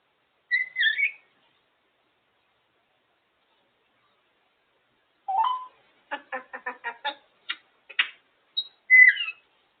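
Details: African grey parrot out of its cage, talking away: a short whistled phrase, then a burst of rapid, speech-like harmonic syllables over about two seconds, ending with another bright whistle.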